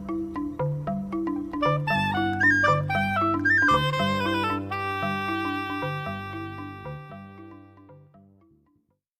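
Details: A short instrumental music passage with mallet-like notes and sustained low tones, fading out at the end, with no animal sounds.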